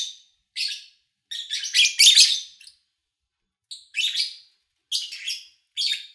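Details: Lovebirds recorded at the beginning of August 2019 during a quiet spell with few engines or people; scattered sharp chirps, then a long harsh chattering burst, a pause of over a second, and further clipped high chirps.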